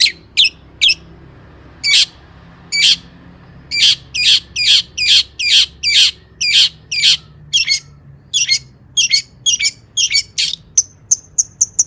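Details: Long-tailed shrike song for baiting other shrikes into song: loud, clipped, scratchy notes repeated roughly twice a second, speeding up into thin, high chips at the end.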